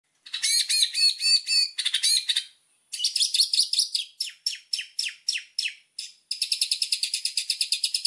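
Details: White-rumped shama master song for training birds, energetic and full of fill phrases: dense bursts of rapid high chirps and rattling notes, a short pause near three seconds, then fast strings of clipped notes ending in a steady rapid trill.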